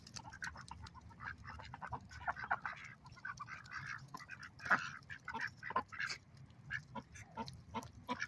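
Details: Ducks on a lake make loud, irregular quacks. Single harsh notes stand out from a busy chorus of softer calls, with one especially loud quack midway.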